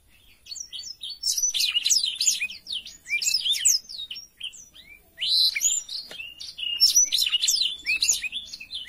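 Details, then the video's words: Black-throated canary in lively full song, recorded as a clear tutor song for young canaries: high, varied chirps, trills and slurred whistles in bursts of one to two seconds with short pauses between. "BLACKTHROAT GACOR SUARA JERNIH UNTUK MASTERAN KENARI BAHAN PAUD CEPAT BUNYI CUIT CUIT"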